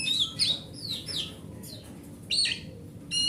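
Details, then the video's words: Forest kacer, an oriental magpie-robin, singing as a lure for silent birds: a few bright whistled slurs falling in pitch, then a gap and a sharp scratchy note, with soft background hum. "Suara Master Burung Kacer"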